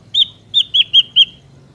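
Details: Ashy drongo song used as a trapping lure: five clear, slightly downslurred metallic whistled notes in quick succession over a quiet background.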